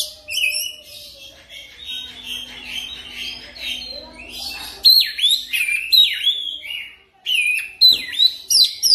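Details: Oriental magpie-robin lure song used to coax a bird into quick, continuous singing: varied whistled phrases with sharp descending and rising slurs, brief trills, and loud bursts after a quieter opening, with a faint low hum underneath.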